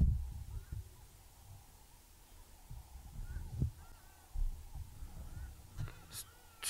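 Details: Southern Ground Hornbills calling in the distance at a misty sunrise, 1 August 2017, Djuma Game Reserve, with elephants emerging nearby: deep, booming hoots, low and muffled, every second or so, with faint whistles of other birds above.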